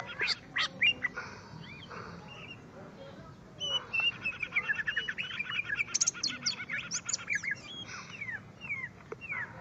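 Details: Greater green leafbird facing a rival in song duel: scattered sharp upslurred notes, then a long busy outpouring of fast mixed whistles, trills and clicks, ending with a few separate rising whistles.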